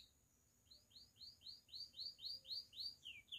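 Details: Campainha-style song from a pied Belgian canary, used to encourage other canaries to sing and females to get in condition: a steady series of short high downslurred notes, about four each second, over a faint low hum.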